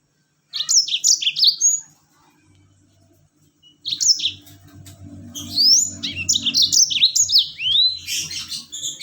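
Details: Yellow-fronted canary rolling song used as a lure for other birds: bursts of rapid, bright whistled trills and slurred notes, a pause, then a longer lively run over a low background hum.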